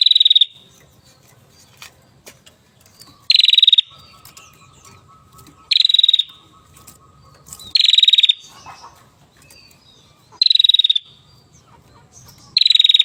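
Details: Aviary hill prinia in full song, loud rattling pulsed bursts about half a second long repeated roughly every two seconds, six in all, with a faint steady tone and low hum behind.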